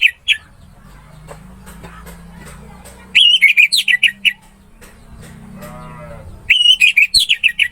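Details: Orange-headed thrush song made for tutoring: two bursts of clear, sweet, rapidly changing whistles, with low droning hum and faint clicks in between.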